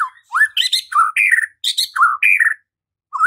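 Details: White-rumped shama song meant to provoke singing and fighting: upward-slurred whistles mixed with raspy squawks in short phrases, followed by a brief silence and a final rising whistle.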